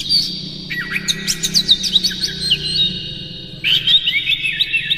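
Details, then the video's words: Energetic Oriental magpie-robin song in the morning, lure material for caged birds: fast high twittering and slurred whistles in two phrases, with a low steady hum beneath. "suara PAGI!! KACER Gacor Master PANCINGAN Buka Ekor KONSLET bongkar MATERI KASAR agar gacor"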